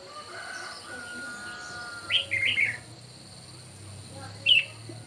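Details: Red-whiskered bulbul singing competitively in the morning: a lively cluster of four quick whistled, slightly buzzy notes midway, then one isolated bright note, set against steady high-pitched droning and a low background rumble.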